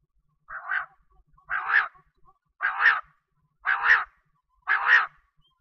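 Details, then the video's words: Female common quail calling: five harsh, rasping bursts spaced about one second apart. Each note is broad and slightly buzzy with a rising-then-falling tone, against a quiet background with faint low rumble. "Batair ki awaz||Quail ki awaz||Female Batera voice"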